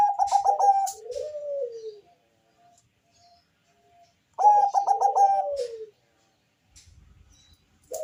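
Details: Bangkok-type zebra dove with a bass-heavy voice, singing to entice other doves to call. Two full phrases of loud rapid cooing notes sliding down into a falling coo, separated by a quiet gap.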